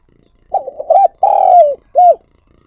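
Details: Spotted dove lure bird calling, recorded directly. One mellow, mid-pitched phrase: a quavering start, a rounded coo, a long buzzy-textured croo that falls away, then a brief arched closing note. No other sounds.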